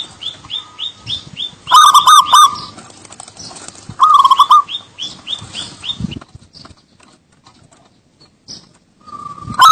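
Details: Local Javan zebra dove with short staccato cooing phrases, each a tight cluster of ringing notes. Softer higher chirps sit between them, followed by a quiet stretch and a final phrase at the end.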